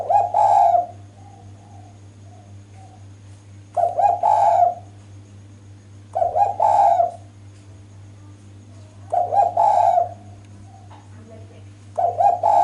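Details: Female spotted dove calling to draw males into answering: low, mellow cooing phrases repeated about every three seconds with pauses between, over a steady low electrical hum.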